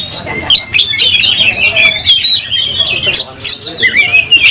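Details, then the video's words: Fighting kacer, the oriental magpie-robin, with its tail opened, singing emotionally. Fluid whistled phrases rise and fall, interrupted by short harsh notes and clicks. "Kacer gacor langsung tarung buka ekor bongkar emosi"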